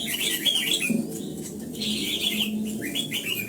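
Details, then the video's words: Red-whiskered bulbul singing in morning voice training for the old-forest double-note style; longer rolling whistled phrases dip and rise, then a few shorter upswept notes, with a faint low hum. "Luyện giọng cho chào mào hót sáng, ép chào mào hót âm kép già rừng hay tuyệt!"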